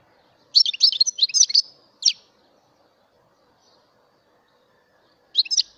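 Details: A European goldfinch, mutation bird, gives a burst of quick high twittering notes, a single separate chirp, then a long pause before another brief tinkling phrase.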